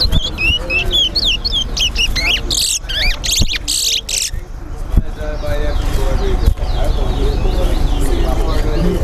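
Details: Caged chestnut-bellied seed finches (towa towa) in a bird club whistling competition at Linden, Guyana: a quick run of clear, looping whistled notes early on, then crowd noise and speech dominate.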